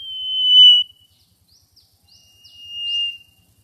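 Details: Mangrove whistler calling: a long, pure, steady whistle, then a few soft, brief, higher upswept notes, then a second long level whistle at about the same pitch. The background is otherwise quiet.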